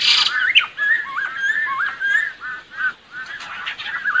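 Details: Lesser necklaced laughingthrush singing, a recording meant to attract birds for trapping: wavering, wavy whistles repeated in a steady series, opening with a short harsh burst and fading slightly midway before resuming.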